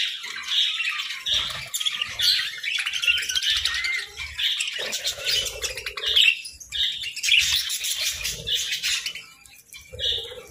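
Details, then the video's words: Pet budgies chirping and warbling while munching grass and moringa in winter: a busy stream of high, varied twitters and short squawky notes, broken by brief pauses, with soft crunching of food. "Budgie Serenade Amidst Moringa Munchies!"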